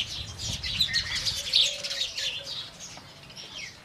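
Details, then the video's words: Morning chirps from Indian house sparrows, with quick bright tweets packed closely at first, then thinning and fading toward the end. "indian house sparrow birds"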